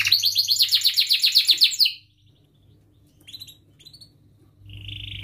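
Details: Domestic canary in full rolling song, meant as a lure for youngsters learning sounds: a rapid, loud chain of bright chirped syllables for two seconds, then near silence with a few soft high notes, ending in a buzzy trill.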